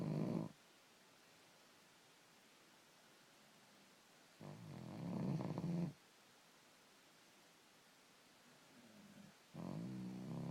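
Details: ['Snoring from a five-to-six-month-old raven: harsh, low, grating rasps about one to one and a half seconds long, separated by several seconds of near silence, three bouts heard.']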